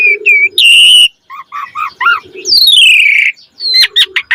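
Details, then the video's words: Asian pied starling singing 'gacor' with 'isian' phrases to draw other starlings into song: steady whistles, a series of short paired notes, then a long drawn-out descending whistle and quick closing chips. "Jalak Suren Gacor Mompa Isian - Pancingan Jalak Suren Agar Burung Jalak Cepat Gacor Isian Mewah"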